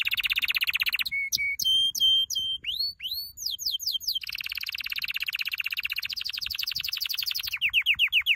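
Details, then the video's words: Canary training song opening with a rapid rattling trill, followed by clear flat whistled notes, upward swept slurs, and a long dense high trill ending in rising chips. "Your canary will NEVER STOP SINGING With this training song"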